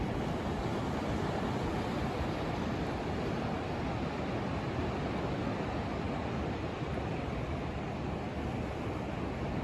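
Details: Continuous crashing waves and wind on Daytona Beach at sunrise, an even dense rush of noise throughout with no bird calls heard.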